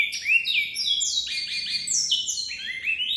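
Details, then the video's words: Great-billed seed finch (bicudo, Oryzoborus maximiliani), a Brazilian cage songbird, sings a rapid, unbroken run of clear, slurred whistles that swoop up and down, bright and high-pitched, with nothing else heard. "BICUDO BIRD Towa towa"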